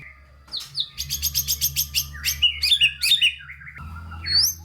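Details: Caged white-rumped shama, a masteran recording used to stimulate lazy shamas lacking drive to sing: rapid series of bright repeated chirps, then loud whistled swoops and rising notes, with a steady low hum throughout.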